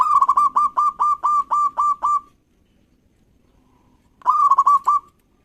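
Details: Local zebra dove singing actively to provoke rivals into singing: a rapid burst of about ten clipped, rolling coo notes, a two-second pause, then a shorter burst of the same quick cooing.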